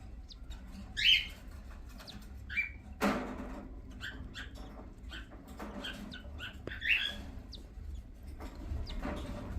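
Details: A pair of cockatiel parents eagerly and quickly eat boiled egg before feeding their chicks; brief, bright chirps amid soft clicking and pecking noises.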